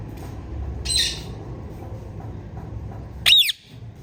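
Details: A female Indian ringneck parakeet gives loud calls: a short harsh burst, then after a pause a very loud, sharp squawk, over a steady low hum.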